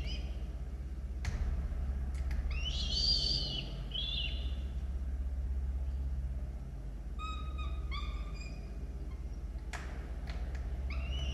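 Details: Peregrine falcons feeding two chicks at a nest monitored by camera in Orange, Australia, 18 October 2022: scattered harsh squealing calls in short clusters, a loud burst near three seconds, with sharp knocks and constant low hum.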